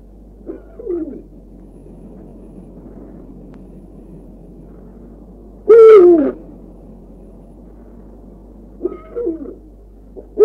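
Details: Eurasian eagle-owl, Bulgaria, late winter, rocky slopes and gorges mainly in mountains: three separate deep, rough calls a few seconds apart, the middle one loudest and harshest.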